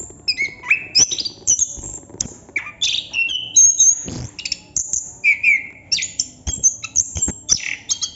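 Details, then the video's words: Chestnut-capped thrush, called anis kembang, pours out long nonstop song: high thin whistles, rising slurs and chattering notes in quick succession, with a short lower rasping sound near the middle. "Burung Anis kembang / Plontang Ngerol Non stop durasi panjang"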